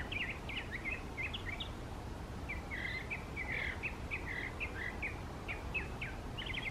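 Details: Mockingbird singing in a park, heard from not far away; varied chirpy and whistled phrases in quick bursts with a pause in the middle, over steady low background rumble.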